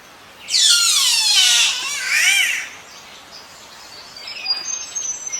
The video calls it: The green catbird produces harsh screams and crying calls that are surprisingly human-like.